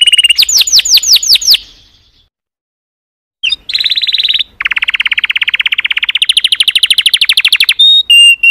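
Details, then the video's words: Canary singing in rapid tours: a quick series of falling whistles, a pause of nearly two seconds, then long sustained trills of fast repeated notes shifting between pitches. "تغريد كناري Chant Canaris singing canaries"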